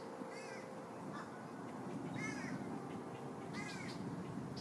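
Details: Green heron chicks, three in a nest at Lake Hollingsworth, Lakeland, Florida, fighting for food and grabbing at the parents' beaks: harsh, arched, rasping calls rich in overtones, three bursts within five seconds over a steady background hiss.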